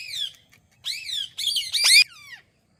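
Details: Parrot calling "Mithu" with a chain of raspy, high, downward-curving squawks, the loudest a strained, wavering cry near the end, then a fading tail.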